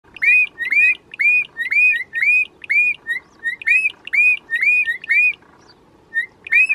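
Bokmakierie pair duetting: loud, ringing whistled notes with rising and falling slurs, traded back and forth about twice a second.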